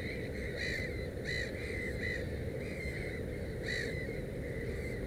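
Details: At the nest with three chicks, a Black-headed gull gives short, hoarse, arched calls roughly every half second, with a low steady rumble underneath.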